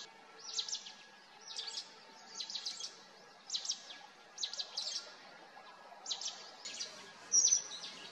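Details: Near Mussoorie in Uttarakhand's Himalayan hills, a Mountain Bulbul pair gives clipped, high chattering phrases, each a quick cluster of notes, spaced roughly every second, with a brief louder squeak near the end and quiet ambient hiss.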